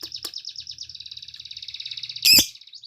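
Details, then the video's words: High rapid chattering trill from a lovebird in full song, sung to encourage other lovebirds to sing, ending with one loud sharp squeak. "Suara lovebird gacor untuk pancingan"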